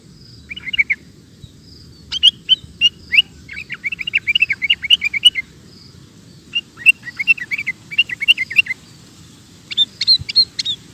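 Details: Sooty-headed bulbul singing persistently, recorded as a tutor for cage birds: long runs of quick, bubbly, warbling chirps in phrases separated by brief pauses, with a steady low hum underneath.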